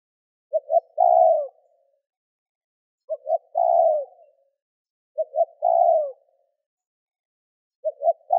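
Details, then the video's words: Spotted dove giving cooing and calling phrases used to provoke wild doves into answering: each phrase has two short clipped notes then a long, throaty, downward-sliding coo, repeated roughly every two and a half seconds in silence. "Cu gáy gù - thúc - gáy gọi kích bổi nhanh nổi"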